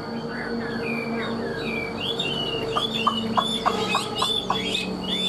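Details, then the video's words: Caged Chinese hwamei song: a run of looping whistled phrases, then a burst of short, sharp repeated notes in a rapid series, with a low steady hum behind. "Họat Họa Mi"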